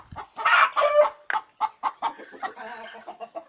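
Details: Chicken sounding off around egg laying: a loud harsh squawk at the start followed by a quick, irregular run of softer, lower clucks.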